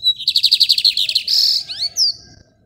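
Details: Caged lined seedeater in Maranhão, Brazil, singing the rajadinho style while its cage is held in hand: a fast series of about a dozen high pulsed notes. A buzzy stretch and a few sharp sliding whistles follow.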